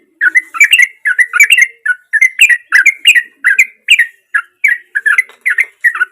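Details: Active sooty-headed bulbul song, natural voice for luring a silent bird into singing; continuous bubbly, warbling notes in quick bursts, about three per second, with little background.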